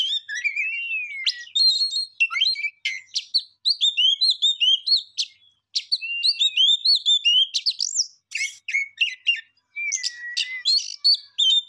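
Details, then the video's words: Songbird singing a rich, varied song of quick whistled phrases, rising and falling slurs, trills and sharp chips, mostly high-pitched and continuous with brief pauses, clean background without other noise. "Beautiful song bird"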